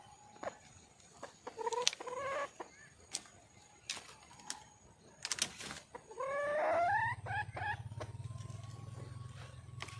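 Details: A wild junglefowl hen calls to attract a male, giving a few short upslurred notes and then a longer, rising, harmonic cry. Scattered clicks and taps are heard, and a low steady hum sets in afterward.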